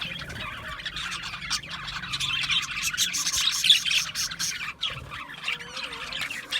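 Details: A cluster of budgerigars keeps up rapid chirping, about four short high notes a second mixed with warbling chatter, fairly steady throughout.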